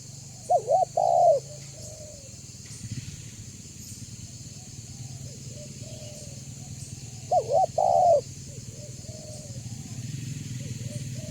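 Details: Spotted dove of the banggo voice type, used as a lure to make other doves call and approach: two deep cooing phrases, each a short double note then a longer drawn arching coo, about seven seconds apart over a steady low engine-like hum.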